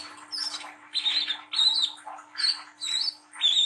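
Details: Young brown-throated sunbird singing a lively ngriwik chatter, offered as a lure to get young birds singing. Harsh, scratchy high phrases come roughly every half second, some with thin whistled tops, over a steady low electrical hum.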